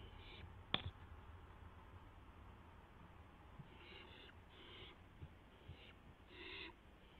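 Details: Barn owl at 12:06 AM on April 12, 2016, with an owlet testing its wings: several short, faint hissing screeches spread across the recording, with a sharp click near the start.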